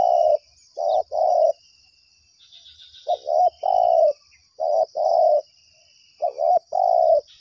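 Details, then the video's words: Spotted dove (tekukur) answering a lure in a trapping session at two spots: low, hollow cooing phrases of two short notes and a longer one, repeated in groups, with a steady high insect whine behind. "Pikat gacor nonstop didua laman"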